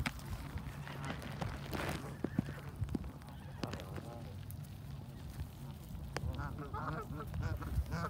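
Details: Canada geese being fed in a flock give scattered nasal honks amid clicks and low rumbling noise. A burst of quick, repeated harmonic honks comes near the end.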